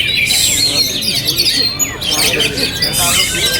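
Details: Oriental magpie-robin, an owned bird, keeps singing in a strong wind. A quick burst of squeaky, scratchy notes and slurred whistles repeats irregularly over a windy background.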